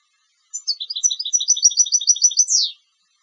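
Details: Competition European goldfinch giving one complete phrase of about two seconds: a quickening run of bright paired twittering notes closing with a strong falling buzzy sweep, with silence before and after.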